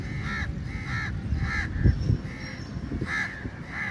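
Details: Crows gathered at food during feeding time, giving a steady series of hoarse caws roughly every half second over low-pitched background noise and a few sharp knocks.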